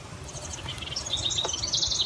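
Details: A male Carolina wren sings in the background near a birdhouse on a property, which he and his mate may have taken. Bright, high chirped notes come in quick clusters, growing louder toward the end.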